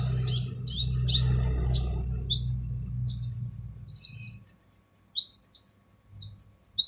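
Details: Sunbird, known locally as kolibri ninja, in a harsh-voiced training recording for other songbirds: sharp, high chirps and quick rising-falling notes in short bursts, over a low steady hum that fades after four seconds.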